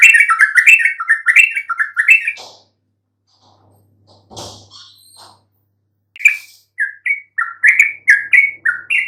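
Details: Yellow-vented bulbul song used as a lure to make even silent birds answer: bright chattering phrases of short rising and falling notes, a pause with a brief noisy rustle, then the chattering phrases resume.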